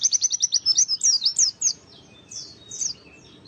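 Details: Oriental white-eye song for luring other white-eyes into singing: a rapid trill of about a dozen high notes, then a few louder slurred phrases and two short chirps after a pause.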